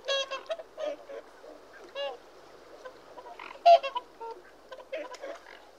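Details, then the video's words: Whooper swans give scattered nasal honks and softer grunting notes, spaced irregularly, with one sharp loud trumpet near the middle. "Whooper Swan Bird Call Bird Song"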